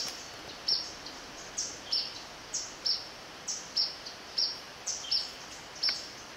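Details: Yellow-bellied Flycatcher recorded 11-11-17 along the river section of Zamorano's Eco-Sendero with a hand-held Canon camera; short, sharp, high-pitched notes repeated roughly every half second, about ten in all, over faint steady background hiss.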